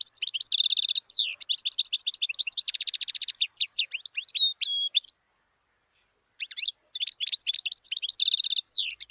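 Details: Long, lively song of a wild European goldfinch: tumbling high twitters, dense buzzy trills and rapid repeated notes, then a pause of over a second before the jangling phrases start again.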